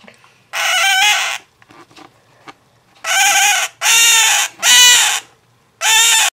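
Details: Male scarlet-chested parakeet, a month younger than his female mate who sits beside him, cries regularly while stepped up on a hand despite being safe, owner unsure why: five loud, harsh, drawn-out cries in a ragged series, softer squeaks between.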